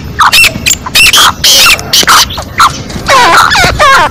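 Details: Female black francolin giving an excited 'masti wali' call: sharp, harmonic notes that slide down then up, about two per second in uneven bursts, some overlapping as if several calls are mixed together.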